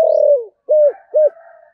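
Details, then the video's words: Spotted dove kept as a decoy bird, 'thổ' voice style: a long, falling hollow coo followed by two short arched coos, with a faint higher murmur trailing at the end. "Chim Cu Mồi, cu gay giong tho cuc dinh"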